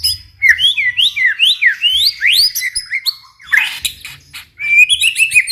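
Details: Song of a White-rumped shama meant to prompt other shamas to sing: a fast series of sweeping whistled notes rising and falling, a harsh rasping burst, then varied high twitters.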